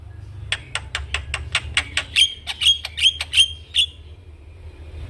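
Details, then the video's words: Javan myna singing as a model for training young mynas: a steady series of dry clicking notes, about two and a half per second, changing into short bright whistled chips before fading. "Burung jalak Kebo Gacor manggut2 Pas Untuk Masteran dan Pancingan Jalak Muda"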